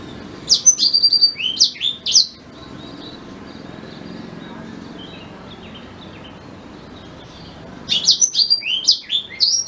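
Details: Black-throated canary song, used as a tutor for white-rumped shamas: quick runs of bright, high twittering notes at the start and again near the end, separated by a long hush of faint background hiss.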